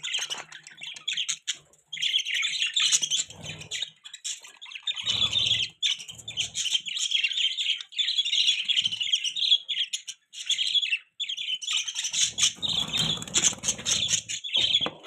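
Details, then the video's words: Pet budgerigars chatter steadily for fifteen seconds, a continuous buzzy warble broken by brief pauses, with occasional low rustling and knocking. "Budgies Beautiful Voice | Budgie Chirping Sound"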